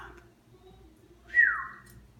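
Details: Pet female Quaker parrot building a nest indoors gives one clear whistle that starts high and glides downward before fading, with a low room hum underneath and a person speaking around it.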